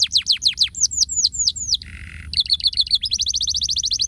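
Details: Canary song with a quick run of downward-slurred whistles, a short low buzzy note, then a rapid rolling trill of high repeated notes; faint low hum underneath.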